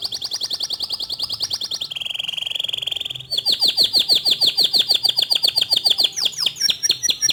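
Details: A local canary with white plumage sings a pulsed trill and a buzzy rattle, then fast repeated descending notes ending in sharp chirps.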